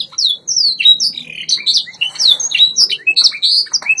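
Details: White Yorkshire canary singing on a training recording: a rapid, continuous run of high, bright chirps and twittering slurred whistles, with quick rising and falling notes packed closely together and no other clear sounds.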